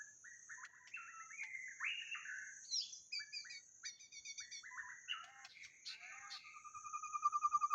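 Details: Luring recording of a white-rumped shama: a long, fairly quiet medley of whistled, chattering and buzzy notes that changes constantly, ending in a fast repeated ticking series, over a steady high drone.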